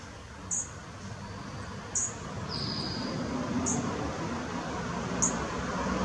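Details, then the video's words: Sleepy fledgling Dark-eyed Junco, 5 June 2017 around 12:23, giving thin, very high, sharp calls about every one and a half seconds, over a steady low rumble of background noise. "sleepy calling fledgling Dark-eyed Junco"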